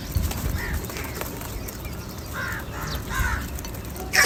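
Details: Many crows calling for food: several hoarse, drawn-out caws from birds at a distance, the strongest two coming in quick succession near the end, over a constant outdoor hiss.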